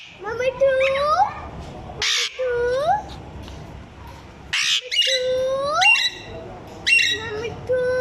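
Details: Pet parrot copying the voice of a small child: a run of clear, rising, voice-like tones with harmonics, broken by short harsh squawks near two and five seconds, then more rising tones.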